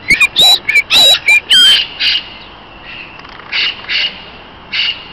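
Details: Mixed parakeets interacting socially in an aviary at the Neues Kranzler Eck, Berlin. A loud run of harsh, shrill squawks and sharp whistled notes comes in quick succession, then softer calls spaced out over a background hum.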